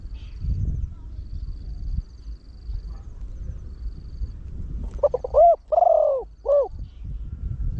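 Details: Decoy Spotted Dove cooing in the fast 'khan yon' style to bring in wild birds. Low rumbling noise fills the first seconds, then a single phrase of short notes, a long sliding coo and a closing hoot.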